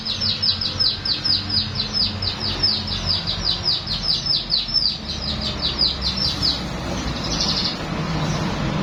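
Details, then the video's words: Baya weaver singing a song learned from a canary: a fast series of short, bright chirps repeated about three times a second for six seconds, then a brief buzzy phrase, over low background hum. "Kicau burung Manyar isian kenari"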